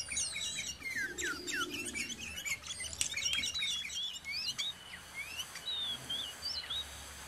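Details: Sooty-headed bulbul, known locally as kutilang, recorded near home: busy cluster of slurred chirps and whistles at first, thinning into a few spaced, fluting notes, with steady background hiss.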